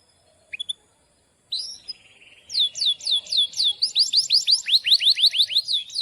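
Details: Caged canary in full song, the long rolling 'gacor' style used to tutor young canaries. After a few brief chirps and a soft buzzy phrase, it delivers a fast run of sharp, repeated, downward-sweeping high whistles, roughly three per second.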